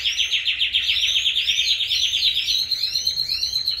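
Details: Loud canary song from birds singing happily at full strength: a dense buzzy trill with rapid repeated upward-sweeping notes, about four per second, layered over a sustained high tone.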